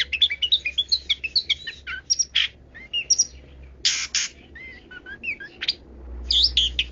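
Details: Long-tailed shrike singing a 'kaya rasa' style song: a rapid varied medley of chirps, sharp whistles, buzzy bursts and squeaky slurred notes, rich in mimic-like variety, tumbling continuously, with a low hum underneath.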